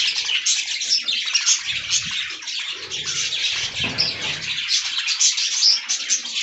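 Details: Several budgies eat fresh green leaves, filling the air with busy, overlapping warbles and sharp chirps. A few soft low thumps sound underneath.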